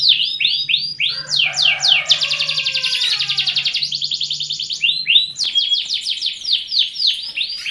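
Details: Canary song used as a breeding lure to stir the urge to mate and speed pairing: rapid high swept notes repeated several per second, a dense buzzy rolling trill in the middle, then more quick swept phrases, over a faint low hum.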